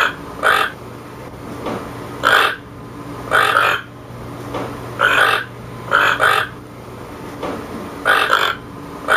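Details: Toucan calling with short, hoarse, croaking notes, each lasting about a third of a second, given singly or in quick pairs roughly once a second, over a steady low hum.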